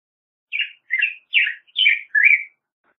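Black-headed Grosbeak singing five rich, warbled phrases, each rising and falling, spaced about every half second against a quiet background.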